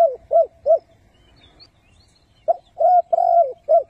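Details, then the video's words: Decoy spotted dove calling to lure wild doves into traps: three short, clipped coos, a pause, then a cluster of hollow coos including one long, slightly falling drawn note. "Chim cu gáy 3 HẬU - THÚC - GÙ siêu SÁT BỔI dùng bẫy cu gáy và kích chim bổi nhanh nổi cực nhạy"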